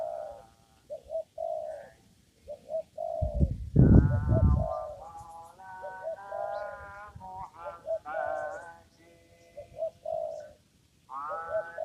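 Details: Spotted dove calling in a papaya garden during trapping with a lure bird; low mellow coos in short phrases, overlapped by higher, richly harmonic droning tones and a loud rumbling thump midway.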